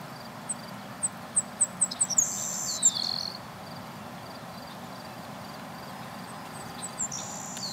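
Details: Wild Savannah Sparrow singing at Millennium Park, West Roxbury, Massachusetts: a run of thin, very high chips speeding up, then a hissing buzzy trill and a lower, drawn-out buzz, over steady background rumble.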